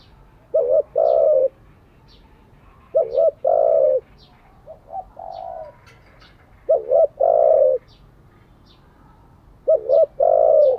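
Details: Decoy spotted dove cooing to train other doves, giving three-part coos of quick dipping notes and a drawn-out falling tone, phrases spaced roughly every two to three seconds, faint high twittering behind.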